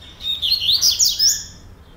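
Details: Breeding male double-collared seedeater from a breeder's stock gives a quick, bright twittering phrase of high sweeping notes lasting just over a second, with a quiet background.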